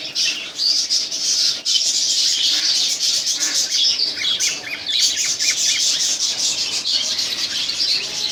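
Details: Cockatiel pairs kept at home chatter steadily with raspy, high squawks, a short run of quick rising chirps in the middle, and some wing flutter.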